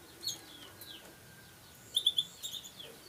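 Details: Songbird raised in the Indonesian bird-song hobby, offspring of a prized bird and a future champion; thin high chirps with short downward slurs, then a tight cluster of three sharp metallic notes near the end.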